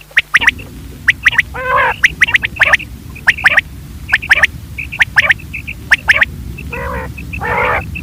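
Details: Quail from Pakistan calling, played for hunting at night: quick sharp high notes in clusters with brief chirps between, plus a few rasping nasal notes, over a continuous low rumbling background noise.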